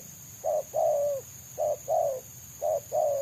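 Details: Free-living spotted dove singing the dense selang nguku style sought by trappers: three paired phrases, each a short low coo followed by a longer drawn, slightly falling coo, roughly one pair per second, a faint constant whine behind.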